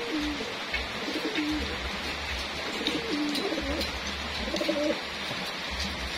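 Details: Racing homing pigeons during feeding, kept for competition; repeated low coos with stepped, wavering pitch come in short phrases about every second, over constant hissing background noise of pecking and movement.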